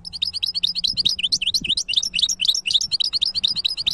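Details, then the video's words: Caged European goldfinch hybrid singing a fast, continuous twittering song of sharp chirps and short buzzy trills, bright and high-pitched, with a quiet low hum underneath. "تغريد وابداع هجين الحسون ولا اروع"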